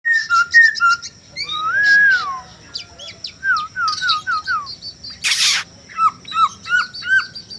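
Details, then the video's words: Male Chinese hwamei, a caged bird in full song, used as bait song to spur silent birds: rich whistled phrases with rising-falling slurs and quick repeated down-slurred notes, a thin steady high tone and a brief noisy burst midway. "pancingan manuk poksay hongkong"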